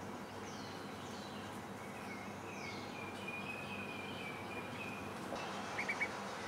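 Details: Two Yellow-bellied bulbul fledglings on Ko Lanta, Thailand, give thin, high, slurred calls that rise and fall, repeated rapidly over steady background hiss; they catch passing insects while adults still feed them fig fruit.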